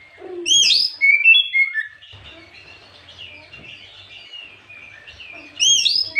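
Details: Afternoon song of an Oriental magpie-robin played as a lure to rouse other birds: sharp high whistled phrases with quick upward sweeps open and close the recording, with softer warbling in between.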